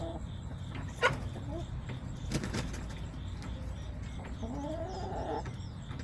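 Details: Backyard chickens on a homestead camera, September 20, 2024: a sharp knock and scattered clicks, then a wavering, rising hen call near the end against low rumbling noise.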